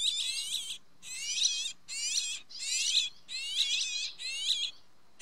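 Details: Inside a nest in Spain in June, filmed with an infrared camera, a Rock sparrow chick begs while the female feeds it: harsh, high chattering bursts repeated about every second.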